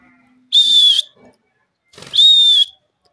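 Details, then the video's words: Pet parrot pair, male and female, squabbling: two loud, steady, pure whistles of about half a second each, separated by a short pause, with faint low sliding tones between. "parrot bird male and female talking,parrot fight"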